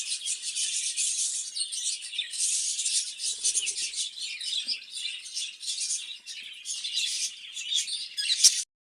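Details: Budgerigars housed in a cage for breeding, chattering constantly: bright, buzzy warbles and rapid chirps pile over one another for about eight seconds, ending with a sharp knock before sudden quiet.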